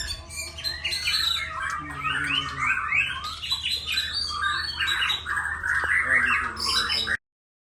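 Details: Murai batu Borneo, a white-rumped shama, delivering a busy run of loud whistled and chattering notes, rising and falling in quick succession, over a low steady hum, ending abruptly.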